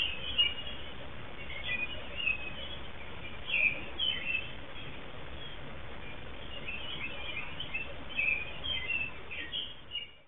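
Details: American robin in Southern Ontario, Canada, singing near a female returning to her nest: bursts of high warbled, whistled phrases come and go over ten seconds, with pauses between bursts and a constant low background rumble.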